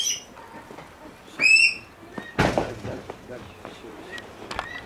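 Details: Elliot's pheasant at a pheasant breeding farm gives a brief burst of four or five quick, harsh, ringing notes, followed by clattering knocks, faint high chirps and a snatch of human voice.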